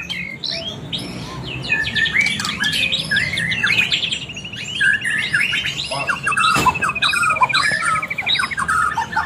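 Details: White-rumped shama in a bird singing contest, pouring out loud varied whistles and chatters, including a long rapid trill held steady through the middle, with background noise throughout.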